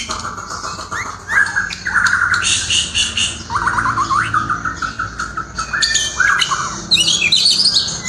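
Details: Murai in melodious song, mixing rising whistled notes, a run of quick upslurred chips and harsh buzzy segments in a dense, continuous stream.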